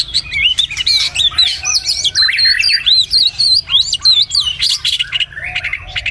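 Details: White-rumped shama singing in the morning: a loud, varied stream of fluty whistles, sweeping slurs and rapid chattering notes, delivered in quick succession without pause.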